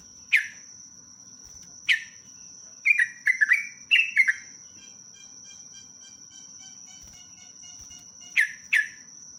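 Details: Sooty-headed bulbul in lively song with long rapid phrases: scattered short bubbly whistled notes, a few single chirps then a quick run of falling slurred notes around the middle, over a steady high-pitched electronic tone.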